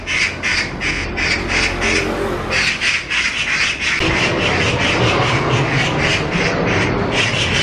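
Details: Magpies, two of them, mobbing a stray cat and pursuing it as it runs off, 5 July 2024: rapid series of grating, squawking notes in continuous bursts, with broadband outdoor noise and low rumble beneath.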